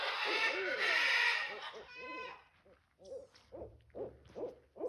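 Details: Backyard barred owl: a loud rushing noise opens the recording, then a steady series of rounded, arched hoots roughly three per second, fairly regular, with faint background hum.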